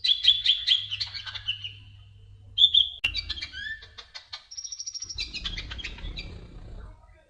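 An olive-backed sunbird gives thin, high twittering: quick trills and sharp chirps in uneven bursts, with a faint low hum and one click.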